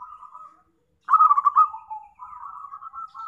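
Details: Zebra dove lure call for trapping. A soft coo fades out, then a loud stuttering burst of quick beats slides down into a lower tone, followed by a steady wavering coo.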